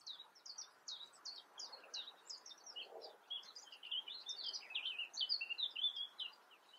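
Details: European crested tit calling: a dense, busy stream of short, high, chirping and slurred notes, many overlapping, in quick irregular succession throughout, against a low rural background hiss.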